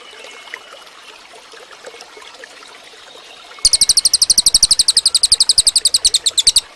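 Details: A cililin song meant for training other birds. Several seconds of soft ambient noise come first, then a quick string of about thirty shrill, clipped high notes delivered in a steady rhythm.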